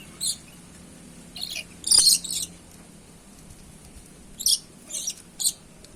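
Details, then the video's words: Red-and-black lory giving harsh, high screeches in irregular clusters, one loud grating burst in the middle, then several shorter shrieks. "Burung Nuri Asli"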